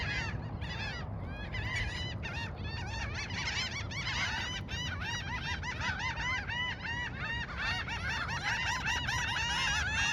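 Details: A flock of Laughing Gulls at a coastal park in Corpus Christi, Texas, calls at once: a dense, overlapping chorus of nasal, arched 'ha' notes, several every second, with a low rumble of wind or traffic.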